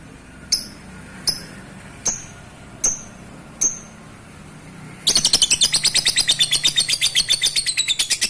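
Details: Lovebird sound played to bring other lovebirds into breeding condition: five sharp high chirps spaced under a second apart, then a fast dense chattering burst of rapid repeated notes.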